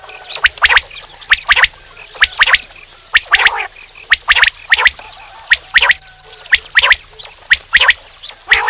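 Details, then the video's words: Male common quail repeating crisp three-note clicky phrases at a steady pace, each phrase a quick run of sharp high pulses, with faint rougher notes between them. "quail sound male/quail sounds calls/male quail bird sound"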